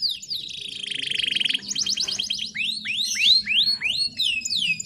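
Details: Female canary in heat calling to attract males, with Bar-winged Prinia filler: a long buzzy trill followed by arched rising-then-falling whistles repeated about every half second.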